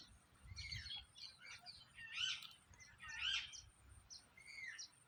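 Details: Parrot giving harsh, raspy screeches that rise and fall, about one a second, strongest near two and three seconds, with fainter chirps between them over a soft low rumble.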